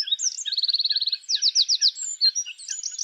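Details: Wild Eurasian wren (Troglodytes troglodytes) giving a mating song in spring woodland: a shrill burst with a fast, even trill of about a dozen notes, then slower ringing notes and high twitters, all very loud and sharp.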